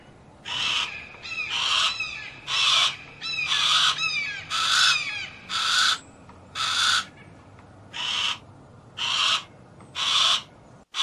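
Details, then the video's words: Harris's hawk calling with rough, hoarse screams of even length, about one per second. Thin, quick, downslurred chirps from small birds come between the middle calls. "Harris Hawk Noises"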